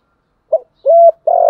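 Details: Spotted dove kept as a decoy opens a giọng thổ cooing phrase: a brief low note, a smooth steady coo, then the start of a long rolling coo.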